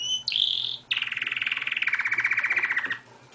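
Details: Pet canary singing outside its cage: a bright high whistled note, then a fast buzzy trill of rapidly repeated notes lasting about two seconds and gradually falling in pitch, in a small indoor room.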